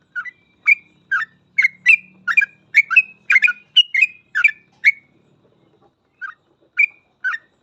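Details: Sooty-headed bulbul in energetic 'gacor' ropel song for masteran use: a dense run of bright, slurred whistled notes roughly twice a second, then a pause and a few scattered phrases, with a soft low hum early on.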